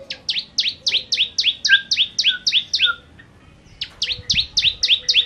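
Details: Bar-winged prinia in full 'gacor nembak' song, a rapid train of bright, downward-sweeping double chirps at roughly four per second, broken by one brief pause before resuming.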